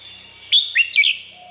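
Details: Red-whiskered bulbul in Thailand, a recording meant for playback to excite birds: one brief phrase of three loud, slurred, rising whistles in quick succession over a faint low hum.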